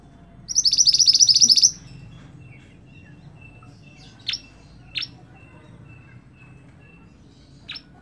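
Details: Scarlet-backed flowerpecker song for training cage birds: one high, rapid, buzzy trill at the start, then three short, sharp, descending chips spaced a second or more apart.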